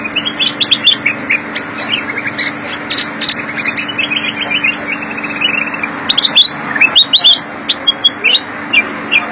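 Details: Kutilang emas, the Black-crested Bulbul, with a long gacor isian phrase: rapid chattering chirps running into a descending trill of tight notes, then a fresh burst of sharp high whistles; a constant low hum behind it.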